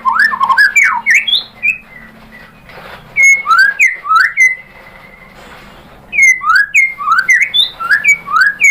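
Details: Shama song played as a lure to draw a response: fast clusters of rich whistles and sweeping slurred notes, then a long steady whistle, a pause, and a renewed string of looping whistled phrases.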